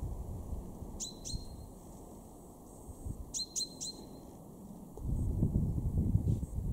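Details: Garden-dwelling male chaffinch, Weener, East Frisia, Germany, March 2023, giving bright metallic 'pink' notes in a pair and then a triplet, each dropping steeply in pitch; low rumbling noise swells near the end.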